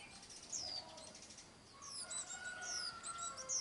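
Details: Swinhoe's white-eye chicks fed by their parents: sharp, high descending chirps come in scattered bursts, quieter in the middle, over soft background noise and a brief wing flutter.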